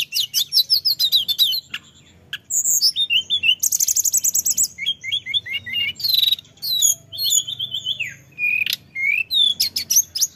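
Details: A male orange-headed thrush kept as a lure bird sings continuously, alternating fast high twittering runs, buzzy rattles and clear downslurred whistles in a long rolling sequence.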